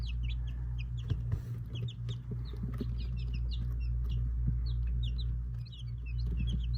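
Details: Young Silkie chicks on a Vermont homestead peep continuously in the morning, kept warm after an overnight power cut, with many short, high chirps overlapping at a quick pace over a steady low background hum.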